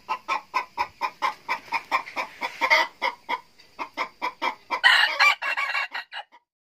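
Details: A young second-generation (F2) red junglefowl decoy cock with glossy golden plumage, praised for its crowing voice, gives a fast run of harsh, nasal clucks, about four per second, swelling into a louder, rougher burst near the end.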